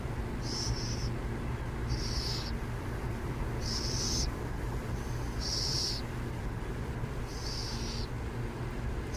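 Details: Burrowing owls near San Jose, California; six short, hoarse, high-pitched calls repeated about every one and a half seconds, each about half a second long, over a steady low rumble of traffic.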